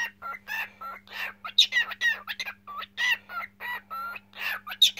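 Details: Singing cockatiel giving a busy warble of raspy, buzzy notes mixed with short clear whistles, some sharp high squeaks, and notes that bend up and down, over a constant low hum.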